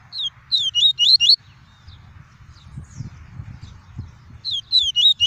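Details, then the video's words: Caged papa-capim, the double-collared seedeater, giving pure tuí tuí song to warm up birds: two bursts of rapid, falling whistled notes separated by a pause of about three seconds with faint low background noise. "PAPA CAPIM CANTANDO MUITO! TUÍ TUÍ PURO - ESQUENTE SEU PAPA CAPIM EM 5 MINUTOS!"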